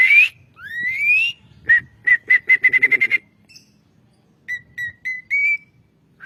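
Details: Asian pied starling sound used as a training recording for songbirds: two rising whistles, then a quick series of about nine short even whistled notes, a pause, and four more short notes ending in a slur.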